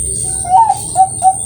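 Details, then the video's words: Farm-bred Bangkok zebra dove of contest quality in Kroya, Cilacap, Central Java, Indonesia: a slightly rising coo followed by two short, clipped coos, with a soft background murmur. "PERKUTUT BANGKOK GACOR PAKEM DEPAN TENGAH UJUNG KUALITAS LOMBA"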